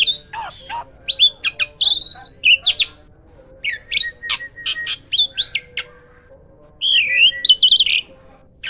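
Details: Captive hybrid myna delivering a loud, lively song: jumbled chattering notes, buzzy harsh bursts and sweeping whistled slurs, delivered in rapid irregular clusters with brief pauses, over a quiet steady hum.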